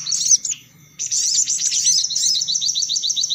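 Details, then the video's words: Sunbird sound used to lure the birds: a few sharp high notes, a pause, then loud jumbled twittering ending in a neat series of quick repeated chips. "Suara Pikat Burung Kolibri Paling Manjur || Sogok Ontong Ribut"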